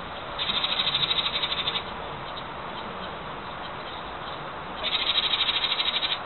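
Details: Insistent little wren nesting in a birdhouse in 2012, always watching and singing: two rapid, high trilled bursts of about a second and a half each, separated by a quiet gap, over steady background hiss.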